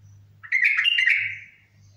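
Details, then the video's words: Bulbul, locally called al-Mutawwa'i bulbul, giving one short warbled phrase of about a second, bright and slightly descending, over a faint steady low hum. "بلبول المطوعي"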